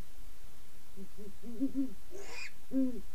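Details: Great horned owl (Bubo virginianus) pair hooting: deep, soft hoots, a quick stuttering run of five or six notes, then a longer final hoot, with a brief raspy higher sound just before it.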